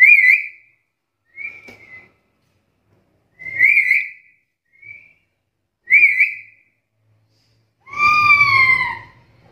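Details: Black-capped lory giving loud, shrill whistled calls with a wavering, ringing tone. Five separate notes are spaced one to two seconds apart, ending in a harsher, drawn-out note. The background is otherwise quiet.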